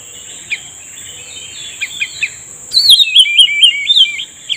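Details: Cucak rumbai tungging singing during bird trapping, answering a lure: faint scattered notes, then a loud run of warbled, wavering whistled phrases after about three seconds, over a steady high insect-like whine.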